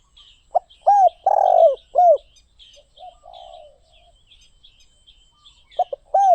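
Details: Spotted dove phrase of short clipped notes, a rough buzzing croo and arched coos, then a quiet stretch of low murmurs before the cooing starts again, with high chirps of small birds throughout.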